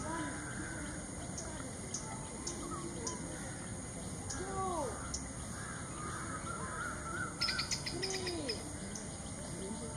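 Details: Black bittern (Ixobrychus flavicollis) calling: hollow, downward-sliding calls a few seconds apart, over a steady high insect drone and a brief rattling burst near the end.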